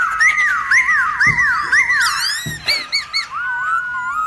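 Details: Black-throated laughingthrush giving forest-style song to excite other birds of its kind: arched whistled notes over a wavering trill, loud bright loops, short clipped notes and a final gliding whistle.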